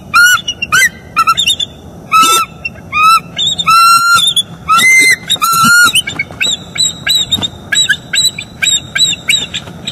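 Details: Wild bald eagles, a male and female, vocalizing together while mating at their northeast Florida nest on the morning of 25 October 2021, recorded by a live camera. Dense overlapping harmonic calls and piercing high chitters repeat rapidly.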